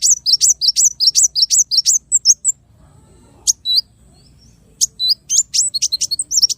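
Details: Small bird singing a tutoring song in a rapid-fire 'tembakan' style: bursts of sharp, very high chirps repeated several times a second, broken by a pause of about two seconds with a few isolated notes before the fast series resumes.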